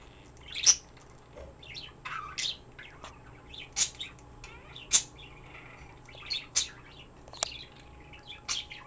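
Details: Pet bird chirping endlessly at home: a steady stream of sharp, high, scratchy chirps and short squeaks, scattered irregularly over a faint room hum.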